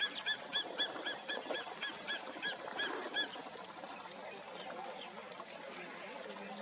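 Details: Greater spotted eagle at Ghana Bird Sanctuary, Bharatpur National Park, Rajasthan, India, in February 2021, giving a quick series of about ten sharp, yelping notes over three seconds, then silent against steady rustling background noise.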